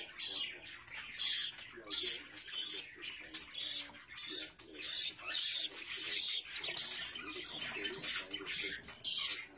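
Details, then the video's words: Budgies with chicks chatter in repeated pulses of grating chirps and squeaks, roughly one burst every second, rising and falling in strength. "طيور الحب بادجي مع الأفراخ"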